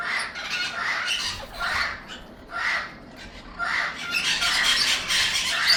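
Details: Amazon parrot young producing repeated hoarse squawks, roughly one per second, becoming a continuous raspy chatter toward the end.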